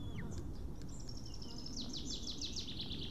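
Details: On an Estonian eagle nest camera, 8 June 2018, a male White-tailed eagle back after ringing with a fish he loses gives a rising run of repeated sharp yelps in the second half, over steady low background noise.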